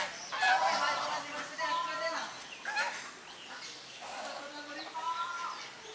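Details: Domestic swan geese alongside grey domestic geese, drying their bodies, filmed on a Sony HDR camera: loud nasal, harmonic honks come in uneven bursts, some overlapping, with quieter calls between them.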